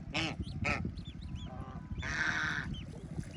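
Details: Farm ducklings in water near their family: two short harsh quacks, then thin arched peeps, followed by a longer raspy quack, all over a deep continuous rumble.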